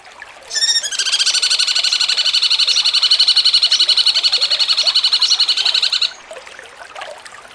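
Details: Training song for contest birds from a cucak cungkok in jengking munting style, opening with a few sharp notes before a long, steady buzzy trill of rapid pulses lasting about five seconds.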